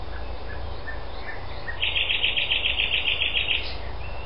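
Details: On Öland at Algutsrum, 14 June 2010, a common nightingale gives a few scattered soft notes, then a fast, rhythmic string of loud, identical chirps lasting almost two seconds, against constant background hiss.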